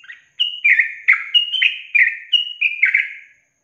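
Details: Training recording of a yellow-vented bulbul singing a long 'ropel panjang' trill: a lively string of roughly ten rapid, liquid whistled notes, each sliding downward or upward, tumbling together without pause, with a clean, quiet background.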